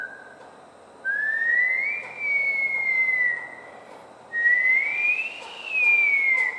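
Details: Bush stone-curlew at a house on the Gold Coast, Australia, giving two slow, eerie wails that each rise, hold, then fall slightly, separated by a pause of about two seconds.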